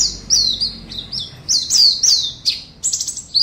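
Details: Oriental white-eye entered in an online singing competition, West Kalimantan, gives spaced high whistled slurs and sharp chirps, several notes dropping in pitch, delivered in quick bursts over faint low noise.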